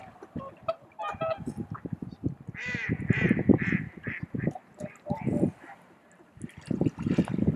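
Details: Swans at Kotoku Pond, Japan, at dawn in the blue hour, taken on a camera's built-in microphone: a bright, harmonic honking call rises out of steady low rumbling of wind and nearby photographers' voices.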